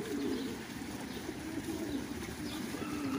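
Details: At a pigeon farm in Qatar, fancy pigeons produce a continuous deep, throaty cooing, drawn-out rolling notes that swell and fade almost without pause amid faint hiss.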